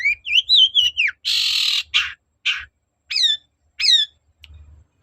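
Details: Long-tailed shrike (cendet) singing persistently, used to provoke another bird to reply: whistled rising and falling phrases, a long harsh squawk, short rasping notes, then several downslurred whistles.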